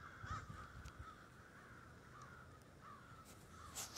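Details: A murder of crows at a snowy roost in Denver, distant caws spaced irregularly and soft against a quiet background.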